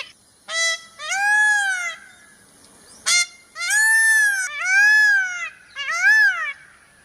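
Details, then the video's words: An Indian peafowl (peacock) gives loud, nasal, wailing calls, each a short yelp followed by a longer drawn-out cry, repeated about six times over a steady high-pitched whine. "Peacock sound"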